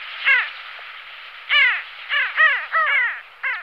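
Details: Pin-tailed sandgrouse uttering harsh, nasal, downward-curving calls, one early, then a tight series of four or five in the second half, spaced under half a second apart.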